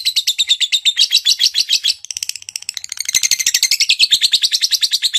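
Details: Female lovebird calling to prompt another lovebird to sing: continuous rapid high chattering chirps, several per second, in a shrill, slightly rising twitter with a brief pause near two seconds, recorded indoors.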